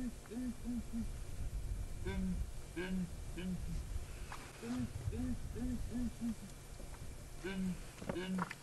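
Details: A group of Southern Ground Hornbills, an adult female and two youngsters perched on a dead tree, boom in a morning chorus on 3 July 2017 at Djuma Game Reserve. They likely call to reinforce bonds before breeding. Deep, hollow notes come in quick runs of three or four.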